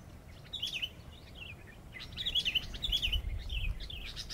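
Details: Decoy sooty-headed bulbul singing a run of short, slurred whistled notes, rising and falling in a lively chatter, partly masked by low rumbling noise that grows toward the end.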